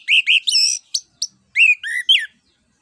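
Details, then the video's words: Orange-headed thrush in full ngeplong song, played to coax other birds into singing: a dense, rich stream of loud warbled whistles, buzzy overtones and quick slurs, barely pausing across the phrase. "ANIS KEMBANG NGEPLONG UNTUK PANCINGAN"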